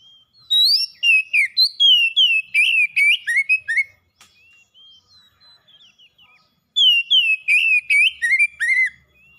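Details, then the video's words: Song of an oriental magpie-robin, played to prompt a caged bird that has stopped singing: two bursts of rapid, varied whistled notes, sweet and sharply modulated, separated by a few seconds of near silence. "KACER PELIHARAAN MACET BUNYI LANGSUNG ON GACOR SEKALI PANCING"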